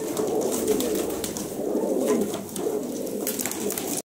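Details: Pigeons of good breed offered for sale as a whole lot make continuous overlapping coos, a soft, throbbing low chorus with some brief wing rustles near the end.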